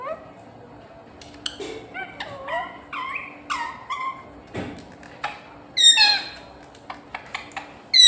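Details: Parrot attempting to say "Mummy": rapid, choppy run of brief harmonic syllables, some curving upward, some clipped and clicky, with a few louder rasping bursts near the end, and a low steady hum throughout.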